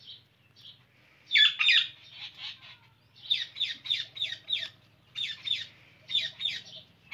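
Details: Indian ringneck parrot giving bursts of harsh, high screeching notes, clustered in quick runs of three to five with short pauses between groups, over a faint low hum.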